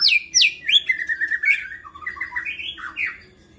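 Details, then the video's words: White-rumped shama in agitated singing that provokes other shamas: quick high downslurred notes followed by a rolling run of warbled whistles fading at the end. "MURAI GACOR NGAMUK BISA MEMANCING MURAI LAINNYA JADI GACOR"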